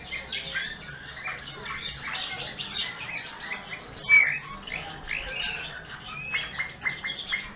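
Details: Singing bullfinch giving a busy run of high twittering, squeaky notes and short warbles, ending in a few clipped repeated chirps.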